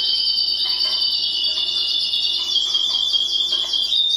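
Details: Timbrado canary song, meant for training other canaries: a steady, rapid rolling trill held at a high pitch for the whole stretch, with faint lower pulses and a soft background hum.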